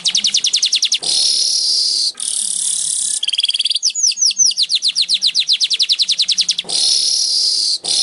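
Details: Song of a Baya weaver on a training recording for kept birds: ticking notes lead into long buzzy hisses, a falling slurred series speeds into rapid chatter, and a final wheeze closes the phrase.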